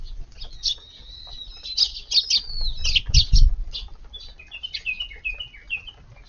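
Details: Eurasian tree sparrows dropping into a garden on a July 22 evening to feed, crowding in after missing their meal during daytime weeding; scattered short high chirps and tweets, some rising, with low rumbling background noise.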